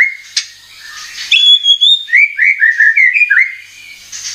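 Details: Lure song of the murai batu (white-rumped shama) used to provoke singing: scattered clicks and soft notes, then a clear high whistle and a quick string of rising mid-pitched slurred whistles.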